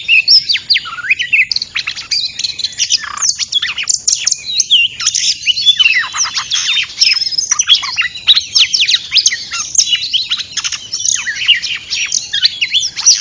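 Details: Oriental magpie-robin lure recording used for bird trapping: dense, continuous high whistled phrases with rapid sweeping notes and sharp chirps, varied and overlapping, with a steady faint high tone throughout.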